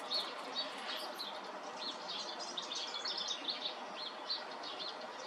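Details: A robin pours out a melodious tale, a rapid run of high, tinkling notes and brief trills that flows almost without pause over low background hiss.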